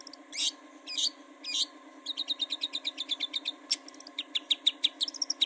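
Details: Long-tailed shrike lure recording used to get birds singing: three harsh rasping notes, then a fast run of short, high, sharp chirps, about four a second, with brief pauses, over a steady low hum.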